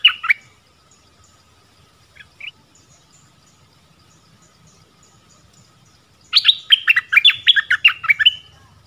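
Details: Forest recording from 13 January 2021 of a nok dok taeng decoy bird calling for a mate; a few scattered chirps, then a dense, hurried volley of bright descending chirps near the end, with a low rumble beneath.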